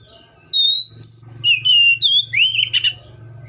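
A Seychelles magpie-robin sings a loud, clear run of varied whistled phrases, some level and some sliding, with a low hum underneath.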